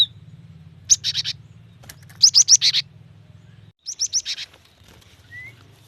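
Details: A female cinereous tit calling to a male, used to stimulate wild-caught birds: short trains of three or four rapid, harsh high chirps repeated with pauses over a steady low hum.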